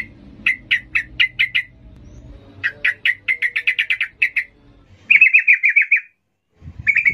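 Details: Trucukan, the yellow-vented bulbul, in emotional 'ngalas' gacor singing for training young birds: quick strings of sharp repeated chirps, then a fast even trill of bubbly notes, with a low hum beneath.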